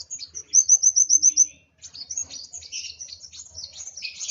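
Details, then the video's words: Excited kolibri wulung sunbird producing a short, even series of high clipped notes, then a jumbled run of thin chirps. "Burung Kolibri Wulung Emosi Sampai ke Ubun Ubun.."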